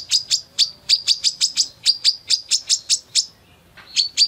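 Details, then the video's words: Female Brown-throated Sunbird in full, busy song, beak open: a long run of bright, high tweets at an irregular pace, a pause of about half a second, then two more notes. "SUARA MASTERAN KOLIBRI KELAPA BETINA GACOR BUKA PARUH FULL TEMBAKAN"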